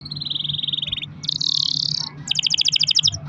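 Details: Pet canary in full song with long rolls, used as a lure to get other canaries singing: a fast high trill, then a buzzy rolled passage, then a run of rapid ringing repeated notes, with low hum underneath.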